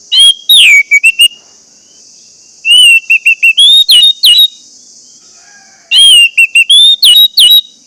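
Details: Song of an orange-headed thrush, played to make caged birds that have stopped singing start again: three bursts of bright whistled notes and rapid chirps, each about a second long, over a faint steady hiss.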